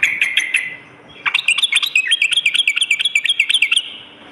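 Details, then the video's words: Sooty-headed bulbul lure recording for morning and night: a few short whistled notes, a pause, then a long, rapid, even run of repeated slurred chattering notes. "suara pikat dan masteran burung trucuk gacor pagi dan malam"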